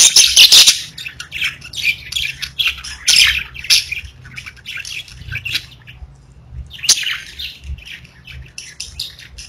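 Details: Domestic parakeets warbling: a loud harsh squawk opens, then softer rapid chirps and chatter continue, a quiet gap, and another sharp call breaks in later.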